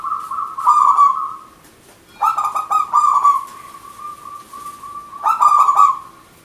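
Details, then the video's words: Local zebra dove (perkutut) in vigorous 'manggung' song, played to lure birds or prompt silent ones to sing: a staccato stuttering coo that breaks into a long level mid-pitched trill, repeated twice with short pauses. "Perkutut Manggung Gacor Gayer 100% lokal alam pikat merbok Turtledoves Zebradove"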